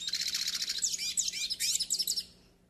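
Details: Yellow-faced siskin singing a continuous rapid twitter of high, slurred, buzzy notes for about two seconds before fading out, meant for pairing and warming up birds.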